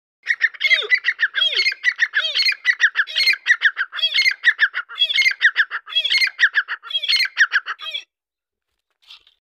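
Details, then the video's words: Grey francolin calling loudly in harsh, rasping multi-note phrases, each with a lower swooping note, repeated about once a second for eight seconds. The calls stop abruptly, followed by near silence and one faint note. "Sund of Teetar Dakkni/دکنی تیترکی آواز"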